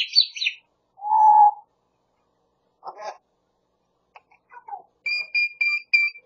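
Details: Pet grey parrot near Los Angeles that mimics a cat, a Pungsan dog and its owners' voices: a high squeal, a hollow hooting note, a raspy burst, scattered clicks, then four bright whistled pips in quick succession.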